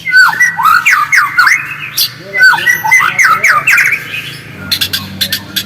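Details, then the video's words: White-rumped shama singing, played to stimulate another shama to sing; rapid repeated sweeping whistles and sharp clicking notes in bursts, followed by a series of crisp ticking sounds. "PANCINGAN MURAI AGAR GACOR DENGAN SUARA ASLI"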